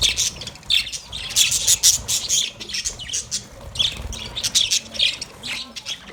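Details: Happy caged budgerigars at play squawk and chirp in quick, uneven bursts, with harsh high notes packed closely together throughout.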